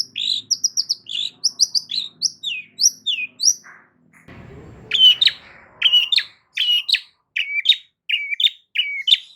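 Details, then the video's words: Long-tailed shrike singing loudly to provoke others into replying: rapid squeaky rising and falling whistles, a brief noisy break, then repeated sharp two-part chirps. "Cendet DIAM Pasti Tak Tahan Dan MERESPON Gacor Bongkar Isian Dengan Suara Kicauan Cendet KERASini"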